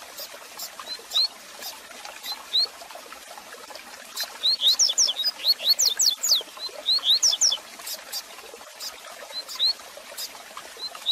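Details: Double-collared seedeater tutor song used to warm up and teach a caged bird: high, thin upslurred whistles, sometimes spaced singly, swelling into rapid bursts of sharp rising and falling notes over faint hiss.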